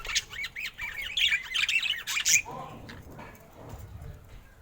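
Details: Pet budgerigar described as looking happy, giving a burst of fast warbling chirps and squeaky notes for about two and a half seconds, then quieter, with low background rumble afterwards.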